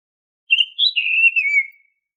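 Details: Oriental magpie-robin lure song for caged birds: one loud, pure whistled phrase that lifts at first, then glides steadily down over just over a second, with no other sound.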